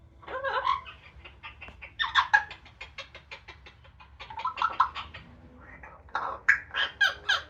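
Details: Amazon parrot outdoors on a sunny day, extra noisy while drying off after a shower: bursts of raspy, chattering notes in uneven clusters, with louder harsh squawks near the start and end.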